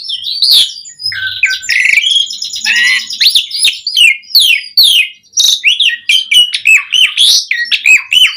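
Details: Dense, nonstop Asian pied starling song full of variation, played as a lure for other starlings: rapid jumbled whistles, rasping chatter and looping notes packed together with hardly a pause.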